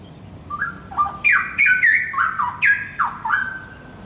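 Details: Young wild-caught straw-headed bulbul delivering a short loud burst of gurgling, fluty notes that swoop down and back up, about three per second, over faint room noise.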